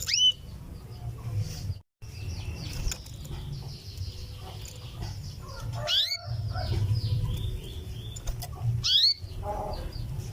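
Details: Female canary's 'cuwit-cuwit' call to summon the male: three bright rising chirps, with softer twittering in between and a constant low droning hum underneath.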